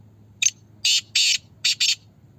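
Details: Single harsh call phrase of a Black francolin, recorded in Pakistan during a voice competition: a short sharp note, then two rasping buzzes, a pause and two more, over a low background hum.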